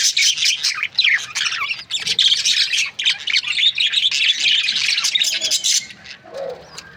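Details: Several budgerigar breeding pairs chatter nonstop in high, twittering, buzzy notes with fast rising and falling squeaks, then the calls fade away near the end.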